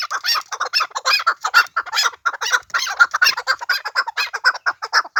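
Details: Pamir chukar calling in a steady, fast series of loud, husky chuck notes, roughly two per second, with bright overtones throughout.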